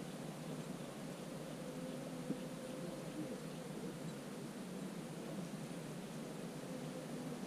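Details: Steady broadband hiss throughout, with one faint click near the middle and no clear animal voice.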